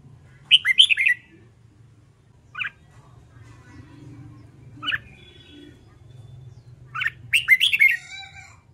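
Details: Red-whiskered bulbul being trained to sing its contest song. Two bursts of three to four quick, bright, slurred whistled notes, separated by single short chirps, with a faint low hum beneath.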